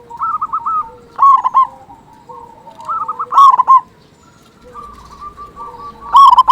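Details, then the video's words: Local zebra dove with a big voice, used as a lure for reluctant doves; bursts of gurgling staccato coos spaced a few seconds apart, with softer rolling trills and faint overlapping cooing. "Perkutut Lokal Gacor Suara Besar Pancingan Burung Perkutut Agar Cepat Bunyi"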